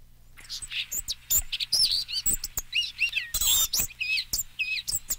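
A Blue-gray Gnatcatcher sings a thin, wheezy, rambling jumble of high squeaky notes, with quick chips and slurred phrases running together almost nonstop.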